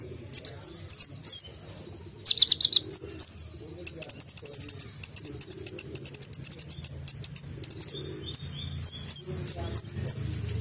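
Brown-throated sunbird giving a sharp, high-pitched song of thin chirps and sweeping notes, with a fast, steady run of rapid ticking notes in the middle.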